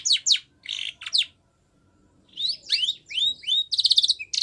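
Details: Spanish Timbrado canary, a white bird, singing training song for young canaries: short bursts of falling notes, a pause, then rising slurs and a fast buzzy trill.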